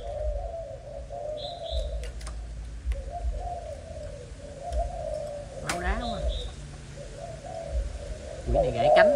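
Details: Malaysian spotted dove, a young bird, cooing softly and continuously in low wavering notes while human speech breaks in twice and faint bird chirps sound in the background.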